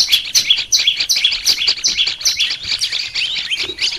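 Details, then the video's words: Training song of the olive-backed tailorbird: bright, high chirps delivered in a fast, nearly even rhythm, a few sharper whistled notes standing out. "Melatih suara burung prenjak lumut biar gacor"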